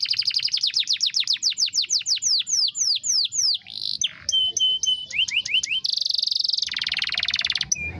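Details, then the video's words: A male-style canary rolling song: rapid downward whistled sweeps, then short flat whistled notes, a buzzy sustained trill and closing chirps, all delivered continuously. "Kenari ngerol panjang mewah"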